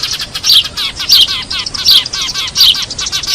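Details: Eurasian tree sparrows calling as a trapping lure, a busy stream of sharp high chirps and short twittering notes overlapping, with louder accented chirps roughly every 0.7 seconds.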